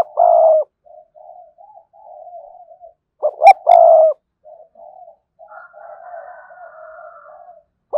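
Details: Decoy spotted dove with a fine, vigorous driving voice gives loud phrases of a long coo, soft trailing coos, then two short notes and another long coo; a faint higher tone runs alongside.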